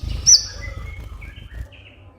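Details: Van Hasselt's sunbird singing to prompt captive birds. A single shrill high note, then soft thin whistles trailing off over a low rumble.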